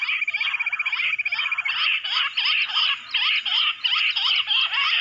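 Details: Bush quail in the jungle, drawn in by mobile phone playback, chatter in a thick, scratchy chorus of quick repeated notes. A steady pulsing high whine is heard at first, then the chorus swells in bursts.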